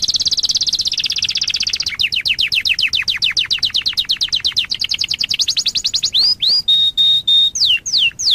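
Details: Canary master song used to tutor young canaries to sing: a dense buzzy trill gives way to about thirty-five rapid descending whistled notes, then looping up-down whistles and one long steady whistle, loud and clean.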